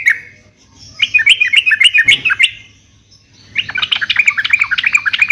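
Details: Singing yellow-vented bulbul used to provoke caged birds: a rapid chattering run, a brief gap, then another fast burst of bubbly repeated notes.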